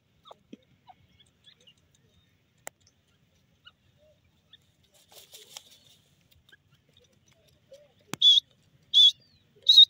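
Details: Grey francolin calling: after a near-silent stretch with faint ticks and taps, three loud, clear, high notes ring out in the last two seconds, spaced roughly a second apart.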